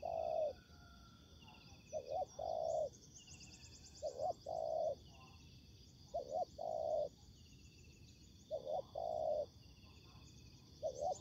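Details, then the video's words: A ground-decoy spotted dove in a Vietnamese trapping session meeting wild birds gives spaced, mellow coo phrases roughly every two seconds. Each is a quick note and then a drawn-out, slightly falling coo, with continuous insect buzzing behind. "Bẫy cu gáy mồi đất"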